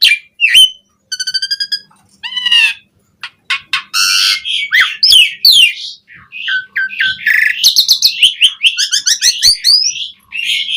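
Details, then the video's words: Asian pied starling singing in captivity, a lure to spur caged birds into song: rapid rattling trills, harsh squawks and bright whistles tumble together in a dense, varied, almost continuous outpouring. "Suara Burung JALAK SUREN GACOR Full Isian Pancingan PENDONGKRAK Emosi Burung Jalak Agar Cepat Gacor"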